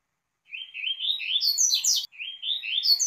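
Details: Coleiro, or double-collared seedeater, giving Tui tui song for teaching young birds: a rapid run of rising, slurred chirps climbing steeply to a sharp high burst, a brief break, then a second ascending run.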